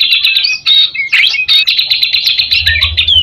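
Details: White-rumped shama song as a lure for other shamas: rapid stream of high, scratchy repeated notes with a few slurred whistles, ending in a descending whistle.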